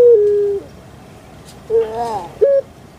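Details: Captive puter pelung dove, a bird well known in Indonesia and especially Java: a long, low, steady whistled coo that dips slightly, then a rough wavering phrase and a short clipped note.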